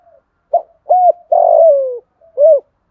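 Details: Spotted dove cooing to provoke a rival wild dove: a brief note, a flat coo, a long coo drifting lower in pitch, then a rounded final coo, all low and mellow.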